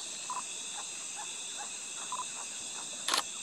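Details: In Acre, Brazil, a Black-throated Toucanet gives short, croaking mid-pitched notes in a steady series about every half second. They sound over a loud, continuous high insect chorus, with one sharp click near the end.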